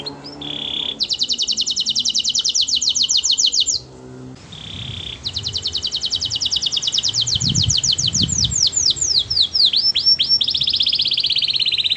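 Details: Canary singing melodiously as a lure for others to sing: a brief pure note then long buzzy trills, a pause, and another extended rolling trill ending in swooping slurs, with soft low background noise.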